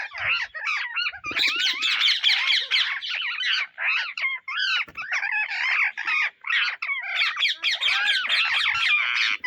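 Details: Indian ringneck parrots searching for seeds: a steady, overlapping flock chatter of harsh screeches and squawks, barely broken by short gaps.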